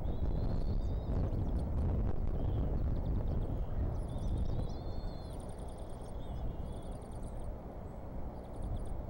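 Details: Bald eagles at the Decorah nest on a windy morning around 7:20 am, the male feeding the young: thin, high whistled chirps, some rising and some in short strings, over a constant heavy roar of wind.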